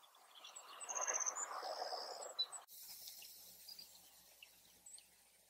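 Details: A Savannah Sparrow answers another of its kind in a field where they nest. It gives high thin chips and a fast pulsed trill, then a sustained high buzz. Rushing noise fills the background, and a sharp knock follows.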